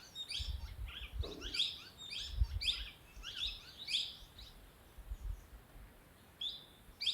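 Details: Sunbird near a Dehradun homestay in Uttarakhand giving rapid high twittering chirps in quick clusters, pausing briefly before a final few sharp notes, while soft low thumps and rumbles sit underneath.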